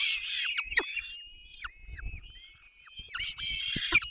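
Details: Peregrine falcon chicks at the nest as both parents feed them, Barycz Valley, 3 May 2024: harsh, wailing screeches with falling ends, overlapping in bursts, with short pauses and faint low rumbles.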